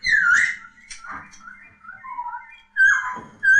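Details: Laughingthrush known as poksay giving clear whistled notes that slide downward, then softer lower whistles, followed by two loud bursts of fluting song.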